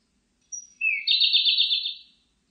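Siberian blue robin song: a thin, high introductory whistle and a brief lower note, then a rapid, rattling trill held for about a second. Quiet background.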